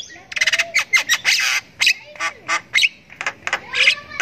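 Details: Captive Javan myna that the owner says became a strong singer with regular care, singing a rapid, scratchy run of harsh squawks, clicks and brief whistles in short bursts with brief gaps.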